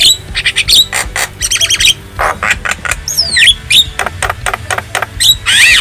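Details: Black-winged starling from the wild, recorded for tutoring caged birds, giving rough rasping squawks, quick repeated chatter and a few looping whistled notes in a busy, uneven sequence.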